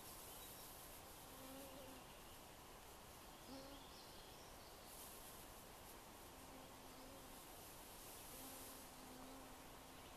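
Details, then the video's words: Ural owl recorded at site 2 near Oulu, Finland, in June 2015: deep, low hoots given in short spaced phrases, around five over ten seconds, over steady hissing background noise. "Ural Owl"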